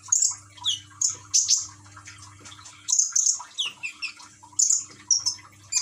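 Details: Caged common iora from Gresik, East Java, Indonesia, singing to a calming water-trickle track; bursts of high whistles and chirps in short phrases, some notes dropping in pitch, over a faint low hum.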